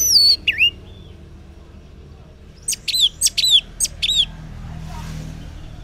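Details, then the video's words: Orange-headed thrush singing in the morning, used as a lure so silent males answer: a high slurred whistle, then a burst of sharp rising and falling whistled notes near the middle, with faint background hiss. "Cocok Buat Pancingan ANIS MERAH Ngeplong di Waktu Pagi Hari Yang Macet yang Bisu Kalo Jantan Nyaut.."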